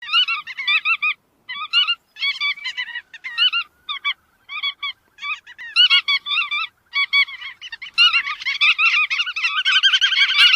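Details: Chắt đuôi vằn calling in nasal, harmonic honking notes given in short quick bursts with brief pauses, building into a denser, continuous chatter near the end.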